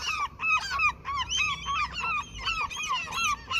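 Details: Seagulls in their territory by a fishing area, being given food, call in a dense run of nasal, bowed yelps, about three a second, with overlapping voices.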